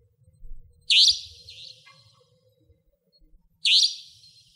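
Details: Savanna nightjar, a nocturnal, territorial resident bird, near a house in Pingtung County, Taiwan: two harsh, buzzy, high-pitched notes about three seconds apart, each fading quickly, over a faint low rumble.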